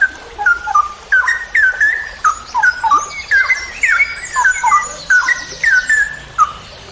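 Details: Straw-headed bulbul in a songbird-training recording, singing in the long rolling 'ropel panjang' style: loud, liquid whistled notes that rise and fall in quick bursts, with a fine high trill from another bird behind.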